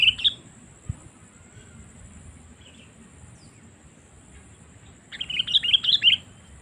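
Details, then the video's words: Sooty-headed bulbul lure call for attracting wild birds: a short chirp at the start, then after a long quiet gap a lively burst of several tumbling, bubbly notes. "Suara Panggilan Kutilang Memanggil Burung Liar"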